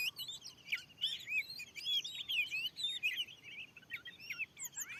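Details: Oriental magpie-robin, wild, answering a lure in a new field, pouring out a fast medley of whistled loops, slurs and ticking chips, quieter toward the end.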